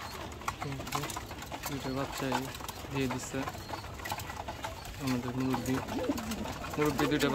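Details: Captive domestic pigeons, fed late in the morning and restless for food, give low throaty coos in repeated bursts while a person talks nearby.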